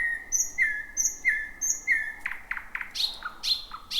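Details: Thrush nightingale heard near midnight in dense bushes, the first of 2026. Three repeated level whistles with high overtone notes about every 0.7 seconds, followed by clipped clicks and falling slurred notes.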